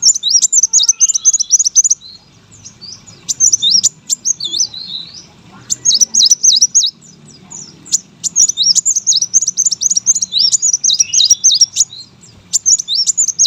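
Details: Energetic song of a brown-throated sunbird kept as a competition bird, used as a tutor recording: rapid chains of high, wavering squeaky notes in repeated bursts of about two seconds over a low steady hum.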